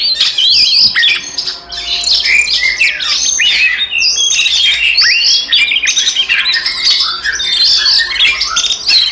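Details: Oriental magpie-robin in a fighting song to provoke rivals: dense, harsh squawks interwoven with whistled sweeps and rapid chattering, relentless and varied throughout.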